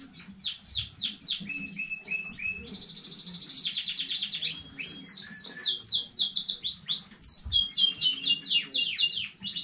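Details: Home-bred young canary singing on 15 May 2019: rapid downward-sweeping chips, a short steady mid-pitched trill, a dense buzzy roll, then many quick high slurred notes tumbling one after another.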